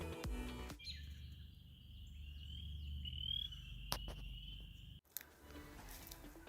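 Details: Red-headed woodpeckers, probably five or six family groups, give a dry, trilled rattle like a gray tree frog for about four seconds; State Game Lands 169 near Newville, Pennsylvania, around 8 a.m. after a day of rain.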